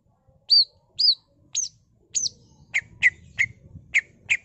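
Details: Greater green leafbird (cucak ijo) in energetic full-isian song, used as a pancingan to stir other birds: four loud whistled notes rising then falling, spaced about half a second apart, followed by five sharp, lower chipping notes in quick succession.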